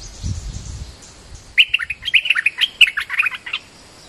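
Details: Bulbul lure call, merbah lekir in Malay, used to attract birds: after a soft low thump, a lively two-second chatter of many rapid, bright chirping notes runs together.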